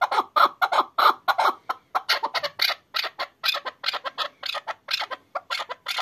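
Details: Excited hunting chukar partridge delivers loud clucking chuk calls, first in quick pairs and then in a looser, rattling sequence.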